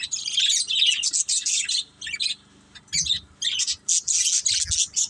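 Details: Budgies in a family group chirp as they play: rapid, high, grating warble notes in several bursts with quiet gaps, plus a few soft low thumps.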